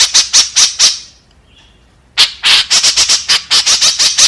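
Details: White-breasted woodswallow giving a lure call meant to attract its companions: four rasping notes, about a second of quiet, then a dense string of coarse, buzzy squawks.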